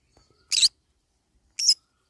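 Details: Green-cheeked conure while eating banana leaves, two short harsh screechy notes about a second apart.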